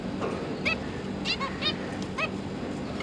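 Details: Caged zebra finches, parents tending three young fledglings that hop about practising flight; a few separated nasal, down-slurred harmonic calls over a constant low hum.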